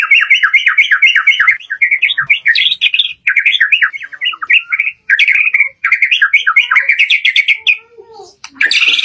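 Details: Shama song used as a lure for kept birds, full variation: dense runs of fast choppy notes in bursts of about one to two seconds separated by brief gaps, ending with a short scratchy burst.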